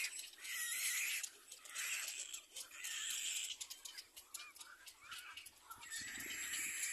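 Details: Little black cormorant chick crying while its mother feeds it: harsh, hissing squeals in bursts of about a second, separated by short pauses, with a steady rasping tone throughout.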